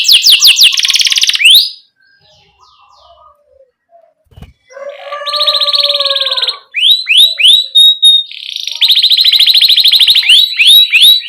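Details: Canary song for training young canaries: a buzzy trill, a quiet pause with one soft thump, then a harsh layered buzz, quick chirps and a rapid rolling trill.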